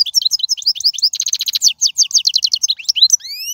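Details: Goldfinch song from the wild, used to teach young birds: continuous rapid twittering with a buzzy trilled passage, ending in rising whistled slurs.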